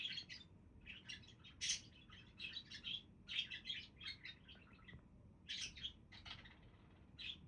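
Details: Budgerigars warble almost continuously, a run of high chirps, squeaks and scratchy notes with a short pause mid-way, over low hum.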